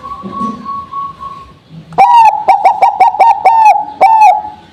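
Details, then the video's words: Zebra dove of the Bangkok type, sung after a morning in the dew: a thin steady whistle first, then a loud phrase of rapid stuttering coo notes rounded off by a longer, falling coo. "Perkutut Bangkok || Cocok buat pancingan Setelah di embun!!"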